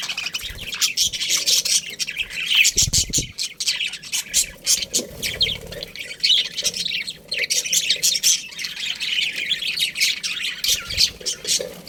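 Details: Steady chorus from a budgerigar colony: continuous high twittering, squawks and chirps from many birds, with a couple of brief low knocks.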